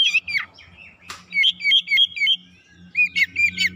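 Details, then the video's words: Oriental magpie-robin singing a rapid lure song to provoke birds: a run of five quick, evenly spaced whistled notes, a sharp click, then another fast series of clear notes over a steady low hum. "PANCINGAN KACER CEPAT KONSLET NGOTOT BONGKAR ISIAN"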